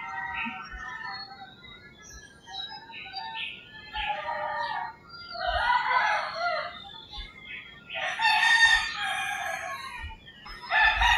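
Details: Roosters crowing at early morning in rural Philippines, several harsh crows at different distances across the stretch, the loudest near the end, mixed with chirping and whistling songbirds and occasional low thuds.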